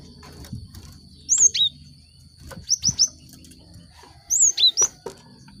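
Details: Lure song of a cinereous tit for prompting caged birds to start singing: scattered bursts of two or three high, sharp, down-slurred chirps separated by quiet gaps, over a faint steady high tone and light background noise.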